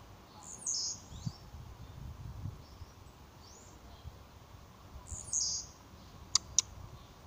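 A blue-black grassquit gives two short, high, buzzy song phrases about five seconds apart. Two sharp clicks follow over a soft background hum.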